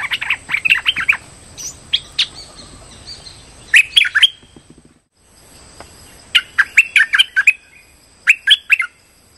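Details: Streak-eared bulbul lure call used for trapping birds; groups of short sharp chirping notes in quick runs of four to six, separated by pauses, with a steady high electronic whine in the background.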